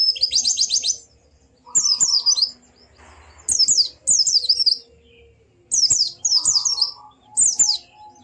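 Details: White-eye singing to spur a silent bird into song: a fast high trill followed by paired twittering phrases of tumbling notes, a low buzzy tone beneath some phrases and a brief hiss.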